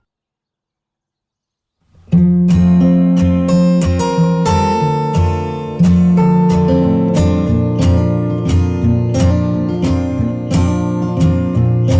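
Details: Strummed acoustic guitar music with steady sustained chords after two seconds of silence, and no animal sounds at all.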